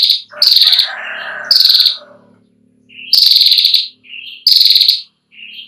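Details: Female ashy prinia giving long trilling calls, suited to tutoring young birds: loud buzzy high bursts with a harsh rasping edge, separated by short quieter lower notes, with a rougher lower chatter early on.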